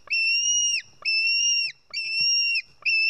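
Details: Begging screams of a White-tailed eagle nestling being fed fish by a parent on an Estonian nest, early July afternoon; long piercing whistles with slight downward tails, three full calls plus the start of a fourth.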